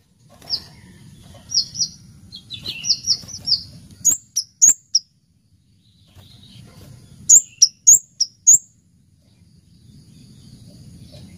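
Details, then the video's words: Orange-headed thrush (kemade) singing actively in the cabe-cabean style: a few clear high whistled notes, then two bursts of sharp, very high chirps in quick runs of three to five, over a soft low rustling background. "Suara Merdu Burung Kemade Cabe Cabean Gacor"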